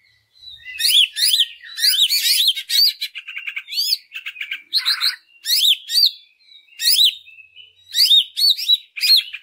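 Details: Greater green leafbird song used as a lure to stimulate other leafbirds: loud, varied phrases of sharp whistled slurs, rising and falling notes and buzzy chatter, delivered in quick bursts separated by brief gaps.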